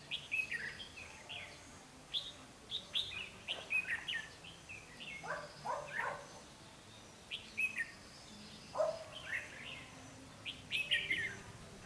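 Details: Red-whiskered bulbuls at a trapping site on 12 August 2016, with a decoy singing to lure wild birds: many lively warbled phrases, some overlapping, repeated every second or two through twelve seconds.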